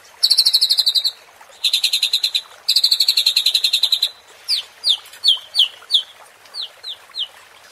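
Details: White-rumped shama giving a 'pancingan' song meant to provoke rival birds: three long, fast buzzy rattling trills, then a string of about ten sharp, downslurred whistled notes spaced roughly half a second apart.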